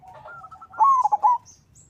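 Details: Local zebra dove (perkutut) song played as a lure for other doves: a faint, wavering low coo, then a short, loud, broken burst of whistled notes.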